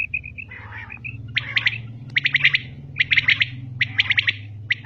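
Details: Female common quail calling. A few short thin notes open, then clipped triple-note bursts follow about once a second over a constant low droning hum.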